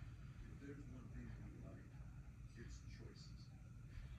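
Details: A 3-year-old female Congo African grey parrot kept in a country home talks in soft, speech-like phrases, practising counting "one two three four", "happy birthday" and "what do you think", over a steady low indoor rumble.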